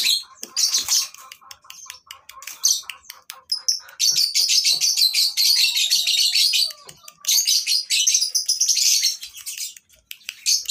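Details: Lovebird chorus from a breeding farm, for tutoring birds that stopped singing: rapid clicking chips and twitters build into continuous shrill chattering, with a faint thin whistle running underneath.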